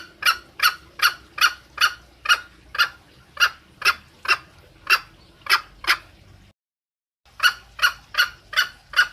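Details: Female green junglefowl calling for her male, used as a lure sound: short clipped harsh notes with bright overtones, repeated about two to three times a second, broken by a brief silent gap before resuming.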